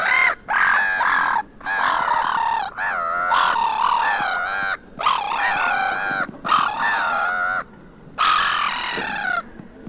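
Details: Quarrelling black-headed gulls on a beach at Vannes in Brittany, France, on 6 March 2023: a run of loud, nasal, wavering squawks and screeches, some long and quavering, others short, with brief pauses between outbursts.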